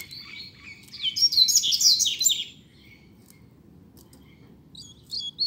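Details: Double-collared seedeater in a caged singing contest. It gives a dense, rapid two-second outpouring of high sliding and chattering notes, then goes quiet. A few bright chips return at the very end.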